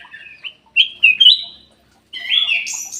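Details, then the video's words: Sooty-headed bulbul song used as a lure to make lazy caged birds sing: short bright whistled phrases, rising and slurred, with a brief pause before a longer warbling phrase. "PANCINGAN KUTILANG EMAS MALAS BUNYI"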